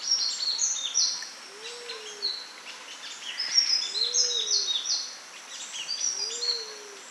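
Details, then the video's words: Fast, high twittering song of a sunbird in natural habitat, thin notes tumbling continuously, while a soft low whistled note rises and falls three times in the background. "Sunbird Singing Sounds"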